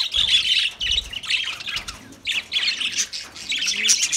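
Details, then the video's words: Lovebirds singing: dense, harsh high-pitched squawks and chirps in rapid overlapping bursts, pausing briefly between outbursts, with faint low thumps beneath. "Lovebirds Sounds Lovebirds Singing"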